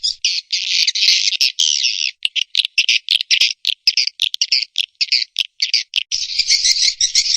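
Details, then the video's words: Swiftlet call and roost sound for luring birds into Indonesian swiftlet houses: a buzzy twittering burst, then irregular clicking chirps, ending in a renewed dense chatter. "SUARA PANGGIL DAN INAP BURUNG WALET"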